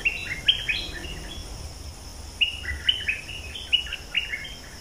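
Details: Breeding-season bulbul, called in by a decoy as evening approaches, gives two bursts of quick, liquid chirping phrases with sharp upslurred notes, about eight notes in all, while insects buzz faintly behind.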